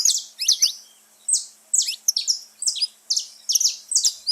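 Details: Wild saffron finch (canário-da-terra) in nature: sharp, high chirped notes in quick pairs and triplets, separated by pauses of varying length, with a clean quiet background.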